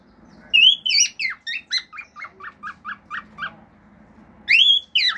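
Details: Male cockatiel kept as a pet, singing natural calls, wolf whistles and clicks. A bright rising whistle opens a descending series of about ten short, evenly repeated chirps, followed after a pause by further upslurred whistles.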